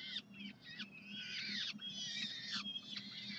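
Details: Hungry peregrine falcons at the University of Calgary on a Saturday morning, 9 June 2012, with overlapping grating wails that rise and slide down, almost continuous for three seconds.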